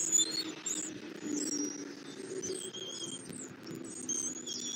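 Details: Bald eagle at its Southwest Florida nest on 8 February 2024, 11:00, while an eaglet is fed a catfish brought by the male; thin high squeaky chirps repeated irregularly through the clip, with a low droning hum beneath.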